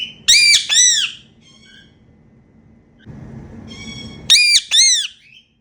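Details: Pet Indian ringneck parakeets making happy sounds during playtime indoors: two bursts of loud, harsh, arched screeches, three or four quick notes each, separated by about three seconds of quiet room hum.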